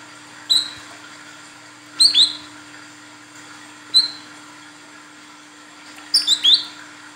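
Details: Lure recording of a female Olive-backed Sunbird calling the male: single or paired high, sharp, down-slurred notes about every two seconds, ending in a quicker triple burst, with a low background hum.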